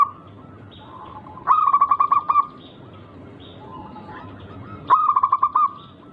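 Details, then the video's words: Local zebra dove with a rare rhythmic song, used to provoke others; two bursts of fast, clipped cooing notes several seconds apart, faint soft calls in between. "Burung Perkutut Lokal berirama Unik Langka gacor"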